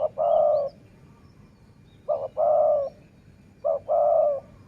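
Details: Dove repeating its cooing phrase three times, about every two seconds, each a short clipped note then a longer, full, low coo, during decoy luring.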